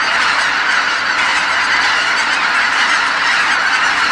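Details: Massed wild geese honking together while returning at nightfall to Kabukuri-numa marsh from their feeding grounds; countless overlapping calls merge into a steady, unbroken roar of honks.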